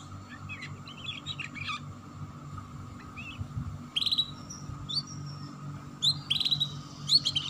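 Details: Canary ngeriwik chirping as a lure for young birds to start singing: faint twitters, then louder clusters of buzzy, rising high notes near the end, over a faint steady hum.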